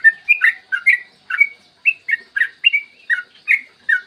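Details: Long, rapid 'ropel' song of a yellow-vented bulbul, recorded clear in the morning for use as a lure that prompts other bulbuls to sing. Rich, liquid chirps tumble in steady bursts roughly every third of a second, pitch flicking up and down.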